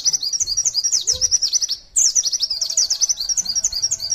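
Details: A pleci, Indonesian white-eye, delivering 'nembak sejaluran panjang' tutor song: rapid high twittering notes, interrupted by a short silence, then resuming just as fast.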